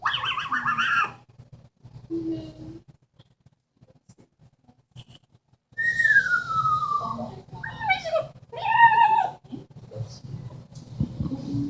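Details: Pet Amazon parrot, kept indoors, mimicking sounds: a long smoothly falling whistle followed by a cluster of harsh, nasal squawks and chatter, with quieter gaps of room noise.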